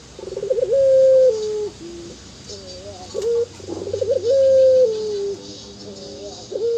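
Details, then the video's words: Ringneck dove, local type, cooing in the prized anggungan style twice: each phrase opens with a rapid rolling stutter, swells into a sustained level coo that drops at its end, then trails into short wavering notes. "puter burung anggungan faporit"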